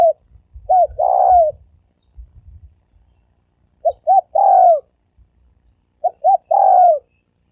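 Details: Spotted dove giving fast gáy gù cooing in the thổ ồm and thổ vang styles: two short hooting notes and then a longer drawn, falling coo, repeated three times, with soft low thumping between phrases.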